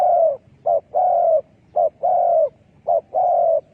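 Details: Spotted dove luring call for dove trapping, given rapidly: three phrases, each a brief coo followed by a long, steady, slightly falling coo, repeated with almost no pause.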